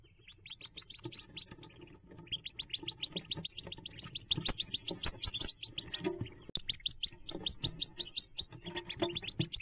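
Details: Hooded merganser ducklings at nest jump time on 5 May 2024: many rapid, high, piping peeps in dense overlapping runs, with brief pauses and some low rustling and thumps beneath.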